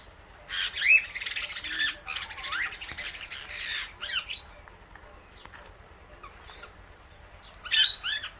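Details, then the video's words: Pet Indian ringneck parakeet and Alexandrine parrot eating guava seeds together; harsh, noisy squawk bursts at the start, then quieter clicks, and a final sharp squawk near the end. "Parrot Natural Clicking Sounds"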